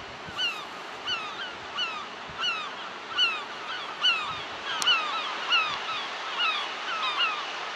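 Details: Gulls screaming at a beach beneath white cliffs in France, 2007: loud, nasal, down-slurred cries repeated roughly every second in a steady series, over a constant wash of waves on the shore.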